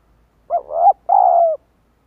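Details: Spotted dove cooing, a sound used to lure wild doves into coming out: two hollow phrases, the first short and swelling, the second longer, smooth and gently falling, separated by a short silence in otherwise still surroundings.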